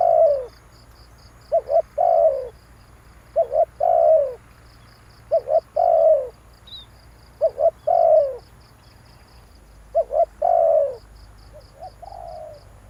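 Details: Lure call of a spotted dove for trapping: phrases of two quick short notes then a long, husky, falling coo, repeated about every two seconds, with a faint high pulsing tick in the background.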